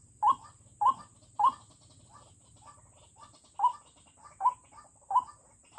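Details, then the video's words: Fierce decoy White-breasted Waterhen used to lure wild birds into snares. Nine short, punchy notes come at uneven spacing, three loud ones, then softer ones, then loud again, over a brief low hum that fades out. "Pikat ruak-ruak ku garang sekali"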